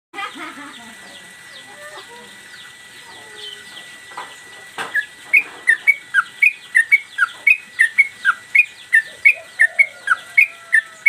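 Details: Sooty-headed bulbul, an active singer flicking its tail, recorded as master audio for training cage birds. Faint mixed chirps give way after five seconds to loud, sharp two-part chirped notes repeated about twice a second over a steady high tone.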